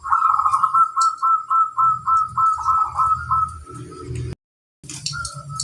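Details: Crossbred local zebra dove producing a fast, regular series of pulsed coos for about four seconds, with low rumbling behind. After a brief cut, a short faint coo follows.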